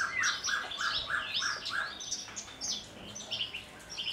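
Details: Javan bush lark, a caged Kulon Progo bird in Indonesia, singing 'Jambul' style with quivering wings; six even, mid-pitched notes repeated quickly, then a tumble of higher chirps and slurred whistles.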